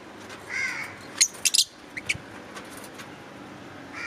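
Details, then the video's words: Green Fischer's lovebirds: a harsher, lower drawn-out squawk with rich overtones, followed by a few quick shrill high chirps, then near quiet. "Cute Love Birds chirping & Sound"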